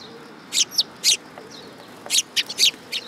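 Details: Eurasian tree sparrows coming to be fed at a shrine, recorded 19 August 2022: sharp high chirps in short bursts, about eight separate notes scattered over three seconds against a steady background hiss.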